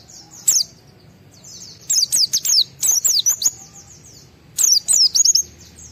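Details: Excited white-eye singing to spur other white-eyes to answer, with scattered bursts of very high, sharp chirps and quick slurred notes separated by quiet gaps.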